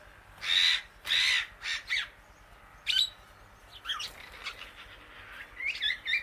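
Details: Two long, loud, rasping squawks open the recording of a female Indian ringneck parakeet eating grass outdoors among many birds. Shorter, fainter harsh notes follow irregularly.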